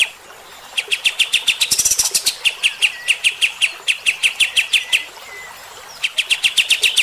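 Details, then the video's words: Bulbul with rough shooting-style song used to provoke fighter-type birds: long runs of sharp, evenly spaced notes, about three each second, broken by a brief higher chattering burst and short pauses. "AUDIO KAPAS TEMBAK GACOR MBESET TEMBAKAN KASAR. BIKIN EMOSI BURUNG TIPE FIGTER"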